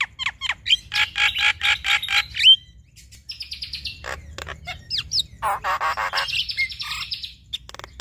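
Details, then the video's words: Javan myna pair, male and female, in duet: rapid harsh chattering bursts and scratchy trills, a pause, then buzzy high rattles and a long rasping, warbled passage ending in a dropping note. "Duet Jalak Kebo Fenomenal Jalak Kebo Jantan Dan Betina Bongkar Isian"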